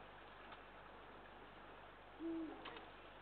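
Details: A Eurasian eagle-owl in Estonia, recorded on 23 March 2023 on a live stream during an afternoon outing, gives one deep, brief hoot near the end, low and soft against a steady background hiss.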